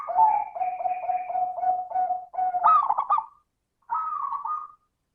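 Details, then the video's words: Zebra dove lure song, 'crystal' voice style, meant to make other doves sing: a run of regularly repeated low coos, then a bubbling trill and a final sustained note. "Pancingan suara burung perkutut - suara kristal"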